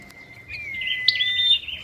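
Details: A captive decoy huýt cô songbird, one of two moulting out of season, gives a thin, level whistle, then a rapid, slightly buzzy warble higher up, with one sharp bright note in the middle.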